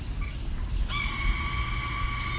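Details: A breeding female Red-tailed x Red-shouldered Hawk hybrid, sounding unlike either parent species, gives a brief faint note, then one long, steady, high, slightly nasal call, played back over a low indoor rumble.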